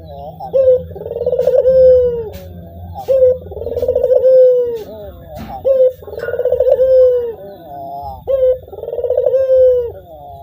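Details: Ringneck dove (puter) giving repeated coos, each a clipped opening note then a throaty, rolling drawn-out phrase, about every two and a half seconds, with a faint low hum and a soft human voice in the background.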